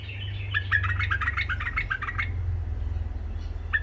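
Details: Tame Iraqi white-eared bulbul with a rough voice sings to train young bulbuls: a rapid string of about ten even chirped notes, partly masked by a loud low electrical hum.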